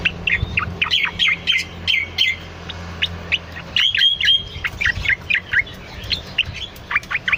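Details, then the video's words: Cucak loreng bulbul in lively song for training or luring birds, with bursts of rapid twittering and sweeping whistles about four per second, separated by short pauses; a low hum lies underneath. "Suara has burung CUCAK LORENG rajin berkicau"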